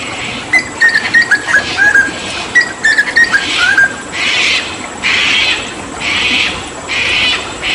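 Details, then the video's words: Hooded butcherbird from Papua, in a tutoring recording with water therapy, gives a string of short, bright whistles and slurs. Broad hissing bursts then take over in regular waves. "Masteran Tembakan JAGAL PAPUA gacor"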